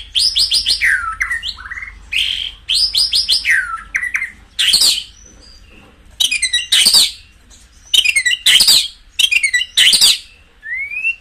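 White-rumped shama singing rich, varied phrases: rapid high chattering runs, slurred whistles and sharp bursts, repeated every second or two, with short pauses between.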